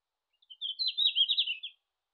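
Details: Red-flanked bluetail in Japan in June sings one short, high warbling phrase: a thin introductory note, then a quick tumbling twitter lasting just over a second, against a quiet background.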